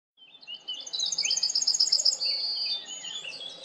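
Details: Yellowhammer song: a quick run of bright, high, evenly spaced notes that speeds up, then ends in a long drawn-out note. Other small birds twitter in the background.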